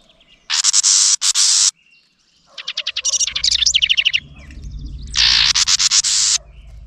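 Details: Agitated house wren close to a camera placed near its nest, scolding with harsh, buzzy broadband chatters in bursts, then a rapid series of clicking rattled notes, ending in another long raspy scold; some low rumble in the background.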